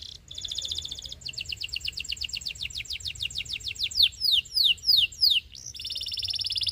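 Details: Belgian canary song used for training young birds: a fast rolling trill, long series of quick high descending notes, several louder swooping whistles, then another buzzy trill.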